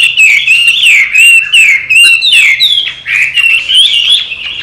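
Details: Trained pet Chinese hwamei from Vietnam's Mekong Delta region, a tame bird that returns to its cage, singing a loud, continuous run of rich warbled whistles that rise and fall in quick, varied phrases with brief pauses between them.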